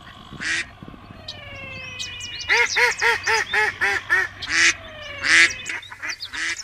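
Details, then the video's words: Duck calls in a mixed sequence: scattered quacks, then a quick run of about eight nasal, evenly spaced notes, then more quacks closing the series. "Som Do Pato"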